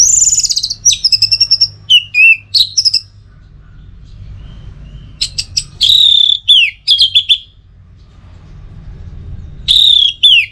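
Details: Orange-headed thrush singing, recorded as training and lure audio to draw out the bird's 'teler' style of singing: bursts of high, varied whistled phrases with slurred descending notes and quick chips, separated by pauses, over a faint low hum.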